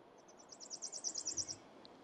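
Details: Palm Warbler singing in W. Lawrencetown, Nova Scotia, on April 25, 2020: a high, rapid trill of about a dozen quick notes over a second, growing louder toward the end, against a faint background hiss.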